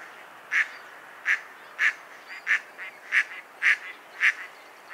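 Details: Mallard duck quacking in a slower, uneven series of rough, nasal notes, some softer ones between louder quacks, over a light hissy background.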